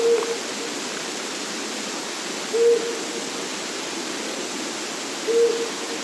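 A Flammulated Owl gives three short, low, soft hoots, one about every two and a half seconds, over a steady rushing hiss.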